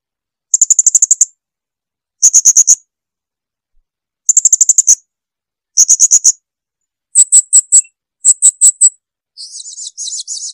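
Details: Blue-crowned hanging parrot song recorded clean as a tutor recording for training birds: very high, sharp chips in quick bursts of five to eight, each burst about every one and a half seconds, ending in a buzzy rasping phrase.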